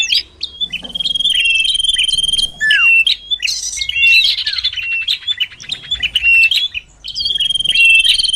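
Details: Common iora (sirtu cipoh) lure recording used to draw birds closer: long, steady high whistles with harmonics alternate with rapid twittering notes and quick downslurred flicks, and the phrases are broken by brief pauses.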